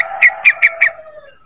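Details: Lure call of a sooty-headed bulbul, four short bright chirps at a steady pace over a lower sustained tone that fades away afterward.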